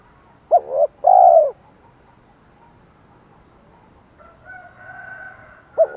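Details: Spotted dove luring call in the 'thổ pha thúc đấu' style, aimed at wild birds: a clipped coo and a long drawn coo. A soft, thin, higher sound follows after a silence, and a new coo starts at the end.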